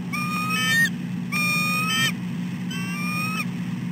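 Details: Two bald eagles on the nest at 6:10 am, the female fussing at her mate. Three drawn-out, slightly rising whistled notes with a thin, piping tone arrive about every 1.3 seconds over a steady low drone.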